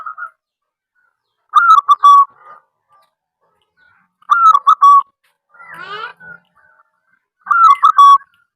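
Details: Local zebra dove in full call, recorded to draw other doves into calling: three phrases about three seconds apart, each a rapid run of mellow coos closing on a longer note, with a fainter buzzy trill between.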